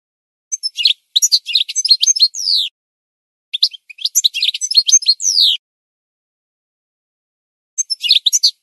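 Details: Singing goldfinch used as a model for teaching birds: three separate phrases of quick, tinkling twitters ending in sliding buzzy notes, each lasting one to two seconds, separated by silent gaps.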